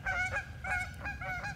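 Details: A nervous, upset pair of Canada geese by a frozen pond at the edge of tallgrass prairie in the Upper Midwest in early spring, perhaps disturbed by walkers, gives about five quick nasal, harmonic honks in under two seconds over a low rumble.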